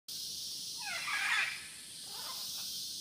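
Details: A baby great green macaw, back up in the nest with its parents nearby, gives one harsh, raspy squawk that rises and falls, then a fainter second rasp, over a steady hiss of background noise.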